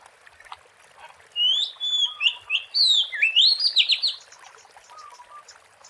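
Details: Wild Oriental magpie-robin, recording used as a lure, singing one loud varied phrase: a long clear whistle followed by fast rising and falling whistled sweeps and short notes, over a quiet background hiss.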